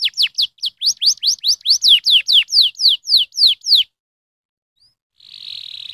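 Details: Canary stimulating song of about sixteen loud downslurred whistled notes in a regular rhythm, followed by silence and a faint steady hiss.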